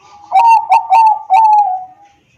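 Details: Bangkok zebra dove (perkutut bangkok) from Wiradesa, Pekalongan, Central Java, captured on an Android phone as a singing lure: four rhythmic pulsed notes lead into a long, gently fading coo.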